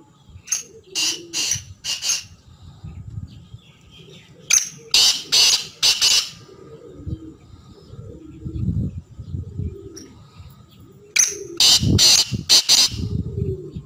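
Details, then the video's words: Black francolin calling three times, each phrase a rapid run of four harsh, grating, broadband notes, with pauses between phrases over a low rumbling background. "kala teetar ki chhk and awaz"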